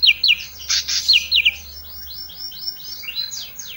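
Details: Olive-backed tailorbird singing isian song. Quick high chips open the passage, followed by a fainter, steady stream of downslurred notes repeated about once a second.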